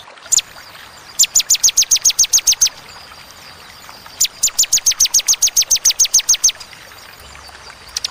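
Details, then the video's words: Bar-winged prinia giving spaced 'tembakan' song: a lone sharp note, then two long runs of crisp high repeated notes at a steady rapid pace, about a dozen notes each, separated by a short gap. "Tembakan ciblek ciwah cigun sadis pedas jernih berjeda"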